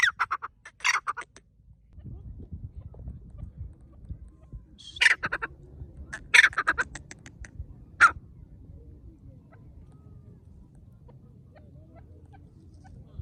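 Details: Loud partridge calls in a forest, a few short bursts of harsh clipped notes near the start and again mid-way, separated by stretches of low rumbling background noise.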